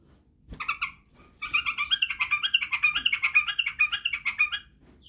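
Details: Training recording of a white-eared bulbul for teaching young birds: a fast, even rattle of repeated notes, about three seconds long, after a short opening chirp.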